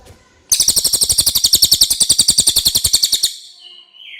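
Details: Common iora in clear song, offered as a tutor recording for white-rumped shamas: a sharp burst starts a long, high, evenly pulsed buzzy trill lasting almost three seconds, followed by a short thin descending whistle.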